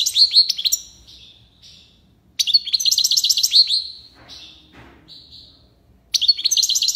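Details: In Algiers, a European goldfinch gives tiwawati-style song: dense tinkling trills and liquid twitters, a fading drawn note and a short pause, then another bright trilled burst begins.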